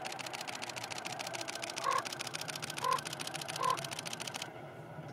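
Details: A Common raven on Strabrechtse Heide, Netherlands, on 12 March 2016, gives three short, clipped calls about a second apart, partly masked by a steady mechanical clicking that stops near the end.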